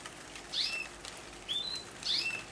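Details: A young common blackbird, a fledgling recently out of the nest that has taken over a house patio by the feeder, gives three thin, high, squeaky notes, each a quick slurred chirp then a short level tone, about a second apart.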